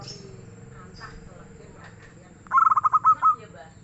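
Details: A single song phrase from a local zebra dove, loud and mellow: quick staccato coos rolling into longer closing notes, preceded by quiet background murmur and faint distant sounds.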